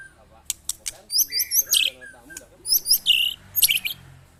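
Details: Caged white-rumped shama tested against neighbouring birds, giving sharp high chattering bursts and a few clear whistled notes in rapid clusters, with sharp clicks and faint background noise.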